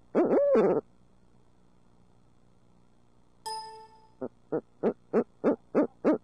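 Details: One of a pair of urbanized barred owls in Midtown Tulsa: a loud drawn hoot, a pause, a metallic ringing clang, then a quickening run of seven short hoots rising in loudness.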